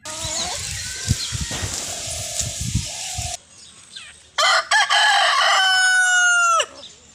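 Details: After noisy background bustle and low thumps, a rooster gives a loud, prolonged, harsh crow that ends with a drop in pitch, followed by quieter clucking.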